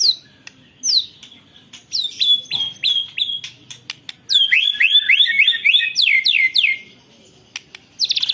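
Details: White-rumped shama singing a long rolling song with canary imitations, recorded on a phone: sharp downslurred notes, then a fast run of repeated sweeping phrases, about four per second, pausing, then resuming.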